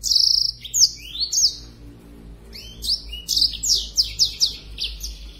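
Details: Black-throated canary in breeding condition, spreading its wings while singing energetically: a sustained high buzzy note, then rapid series of sharp descending whistled slurs and trills, repeated several times per second in bursts, with a low steady hum underneath.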